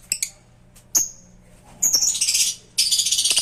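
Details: A pair of African lovebirds giving a few short sharp chirps, then two bursts of shrill, harsh, rapid chattering, with faint clicks between.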